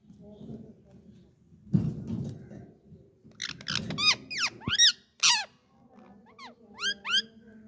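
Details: Pet Indian ringneck parakeet known for talking: after a few seconds of low rumbling room noise, a quick cluster of sharp, arching chirps and a harsh squawk, then softer rising chirps near the end.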